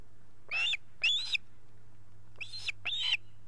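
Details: Osprey chicks calling at their nest in Estonia, August 2018. Four shrill, slurred whistles come in two pairs about two seconds apart, each note rising and then falling, over a faint low hum.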